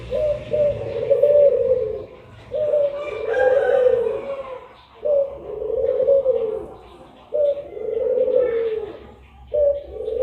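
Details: Pair of puter pelung collared doves at midday. Steady rhythm of drawn-out, low coos, each lasting over a second and separated by brief pauses. Faint voices and a brief rougher sound mid-sequence.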